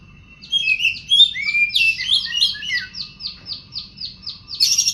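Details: Oriental magpie-robin in Indonesian bird-keeping style, singing gacor: a fluid run of mixed whistled and scratchy notes giving way to about a dozen evenly spaced, repeated buzzy chips, ending in a harsh burst.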